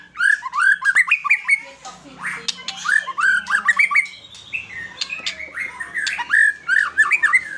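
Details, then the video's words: White-rumped shama singing vigorously in a fighter style; runs of short rising whistled notes repeated quickly, mixed with harsh buzzy phrases and clicks, a rich, varied, continuous delivery. "Murai batu gacor Fighter"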